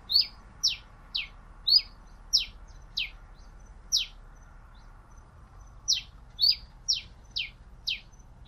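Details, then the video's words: Pileated finch delivering a long run of about fifteen crisp, high, descending chips, spaced roughly half a second apart with one short pause. The surroundings are quiet. "Canto del Granero Cabecita de Fósforo"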